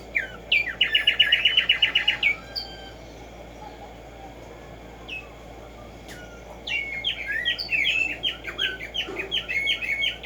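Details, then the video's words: Black-striped sparrow (tumba yegua, tico tico) singing in the morning in nature: a fast trill of bright repeated notes, a pause with scattered chips, then a longer jumbled chattering phrase, over a low steady hum. "HACER TRINAR a Tumba Yegua Audio para estimular el CANTO a estas bellas aves"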